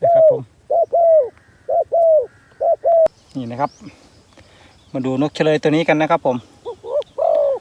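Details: Decoy spotted dove luring wild doves, giving several paired hollow coos at the start. A man then talks loudly over the rest, with a couple of coos returning at the end.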